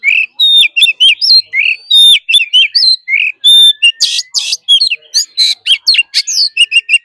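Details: Forest-style song of an Oriental magpie-robin, used for daily training of caged birds: a dense, loud stream of clear whistles, rising and falling slurs and sharp chips in quick, uneven succession.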